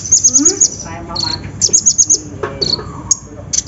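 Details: Olive-backed sunbird (kolibri ninja) lure for a bird that will not sing: clusters of very high, quick chipping trills broken by short pauses, with faint lower chirps beneath.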